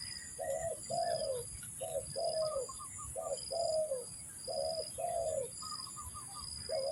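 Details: Luring call of a spotted dove for trapping: repeated pairs of soft hollow coos, each pair ending in a longer falling note, with brief higher twittering from other birds and a constant high drone behind.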